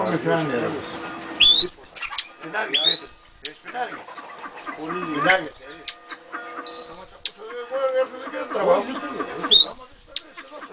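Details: Pheasant pairs give loud, shrill, sharply rising calls, each about half a second long and repeated every two to three seconds, with softer low clucking and chatter filling the gaps.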